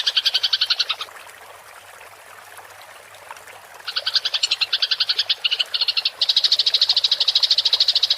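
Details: House sparrow's fighting rolling chatter (ngerol) for songbird tutoring: a burst of fast high chirps, nearly three seconds of quiet, then chatter resumes in bursts and swells into a dense, continuous trill.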